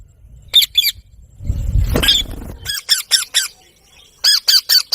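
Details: Parrot giving clipped, sharp chirps in pairs and runs, with a rustling, noisy stretch in the middle before a fresh series of quick notes.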